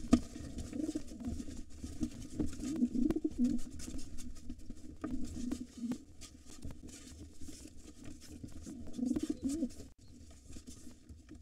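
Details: Wild pigeons at a nest holding two nestlings, where a gray intruder tries to take over and the white father fights it off. Low throaty cooing rises in two bouts over steady scratching and shuffling inside the small nest space.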